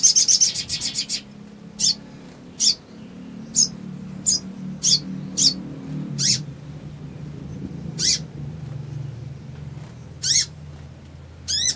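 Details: Male Crimson sunbird in an emotion-provoking lure recording: opening burst of rapid high notes, then short sharp high chips at irregular intervals, ending with an arched note, over low rumbling background.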